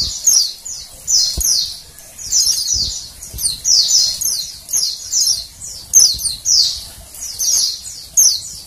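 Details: Female Oriental white-eye uttering rapid high-pitched falling chirps in irregular runs of two to four notes, a call intended to get males singing.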